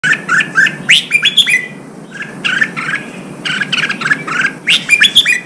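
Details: Red-whiskered bulbul song played to rouse newly caught birds to fight and to train them to sing out: bright whistled phrases of rising and falling notes in quick bursts, pausing around two seconds, over a low background hum.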